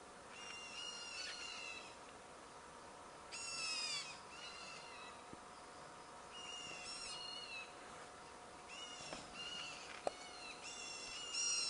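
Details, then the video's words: Black bulbul (Hypsipetes leucocephalus) giving nasal, squeaky cheeps in short bursts every two to three seconds, answering the cheeps of another black bulbul, over a faint background hum. "A Black Bulbul bird Cheeping in response to the cheep of another bird of its kind"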